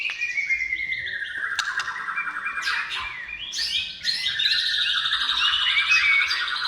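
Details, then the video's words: White-rumped shama singing, used to get shamas to sing: long descending whistled slur, then a burst of rich rapid warbling and trilled phrases, steady and loud. "SUARA MURAI BATU GACOR MEMANCING MURAI BATU BIAR CEPAT BUNYI DAN GACOR"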